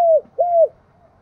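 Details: Spotted dove giving its 'gáy thúc' and 'gáy gọi' coos, which ring across the hills and forest of Đồng Nai, Vietnam: two mellow, slightly falling cooing notes in quick succession, the second longer, then silence.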